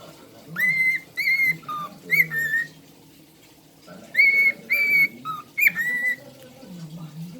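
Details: A female cockatiel whistles a short tune of clear, sliding notes, then repeats the same phrase.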